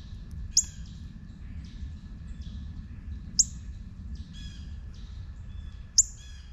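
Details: Juvenile northern cardinal giving three loud, piercing chips about three seconds apart, with fainter warbling notes from another bird between them and a steady low hum.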